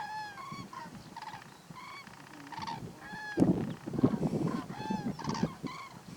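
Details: Several Common Cranes (Grus grus) filmed close up at Little Rann of Kutch, Gujarat, India, in January 2020, give loud, rolling trumpeting calls in quick overlapping bursts, with rustling and low rumbling noise in the middle.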